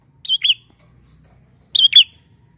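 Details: Bar-winged prinia lure call: two quick pairs of high, squeaky chirps about one and a half seconds apart, with near silence around them.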